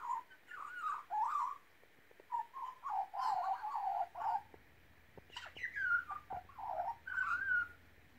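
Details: A young Australian magpie named Scrappa, about five months old, being taught by its owner to whistle and sing, gives mellow, fluting warbles in short bursts about a second long, rising and falling with gurgling notes and brief pauses.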